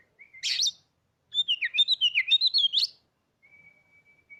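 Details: Oriental magpie-robin in a cage, with a song meant to trigger singing in other birds: a harsh burst, then a rapid warbling run of about a dozen varied chirped notes, ending in a long, even whistled tone.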